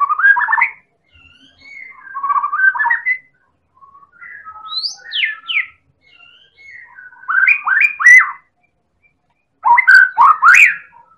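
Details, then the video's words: Champion white-rumped shama of the Medan type, singing nonstop as a provoking lure: quick rising whistled bursts, softer scattered fluty notes, a few high sweeping whistles, then loud rapid clicking and whistled clusters. "Pancingan Burung Murai Batu Medan Super Gacor Elit Juara"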